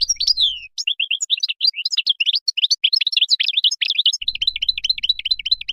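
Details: Moroccan goldfinch delivering continuous high twittering song, with sweet downward slurs at first, then rapid chips and jingling phrases, and finally a regular, repeated tinkling trill.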